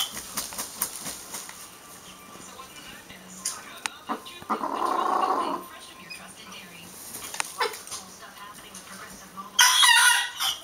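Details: Young male chicken whose voice is still changing as he learns to crow: a single hoarse, breathy crow lasting about a second, amid indoor clicks and rustles and a later burst of hiss.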